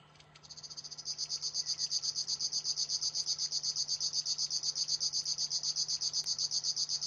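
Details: River warbler song in the kicau tembakan style: a rapid, even, dry buzzing pulse train at high pitch. It starts faintly, then swells after a second and runs steadily, about six pulses per second, over a low constant hum.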